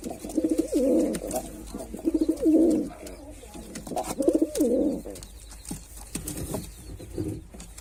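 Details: Male white pigeon performing, giving low, throaty cooing phrases with a rolling, warbling quality, several bursts of about a second each separated by short pauses, with faint softer coos near the end; room-like background.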